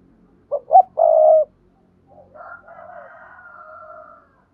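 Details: Spotted dove call used as a lure to prompt other doves to call. A single low coo of two quick notes and a drawn-out third note, followed by a faint, softer warbling sound.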